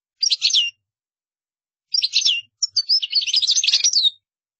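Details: European goldfinch song offered for other birds to learn by copying: a short burst of bright twittering notes, a pause, then a longer rapid run of chirps and trills.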